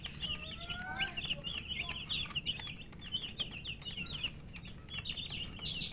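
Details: Poultry chicks chirping out of thirst for drink water, a busy cluster of short high peeps with some faint whistled notes early on and sharper thin calls toward the end.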